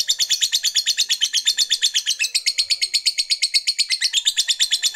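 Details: Ngekek chatter of a fighter lovebird, played to stir rival males: a continuous, evenly pulsed high squeaky rattle, close to three beats a second, with no pauses.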